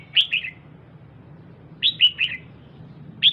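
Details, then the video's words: Calls of a female red-whiskered bulbul aimed at rousing the male: short pairs and triplets of clear, down-slurred chirps spaced by silent gaps, over a low hum. "Chào Mào Mái DAM DANG Kích Trống Bắn Tùm Lum"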